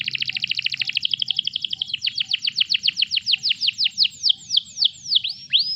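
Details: Canary singing as a master track to spur other canaries: a fast rolling trill that slows into distinct falling whistled swoops, each a little more spaced out.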